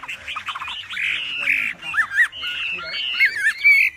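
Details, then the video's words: Wambi singing a loud, forceful song used as a master for training other songbirds: busy run of rapid chirps and buzzy whistled notes, then longer slurred phrases with quick up-and-down twists. "Wambi Gacor Cocok Untuk Masteran Suara Lantang dan Keras."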